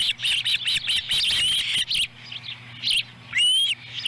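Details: Ospreys at a nest in Lolo, Montana, on July 18, 2017, as an adult female brings a small fish and a young bird eats it whole. Rapid series of high, thin chirps, then a pause and a few clear rising whistled notes.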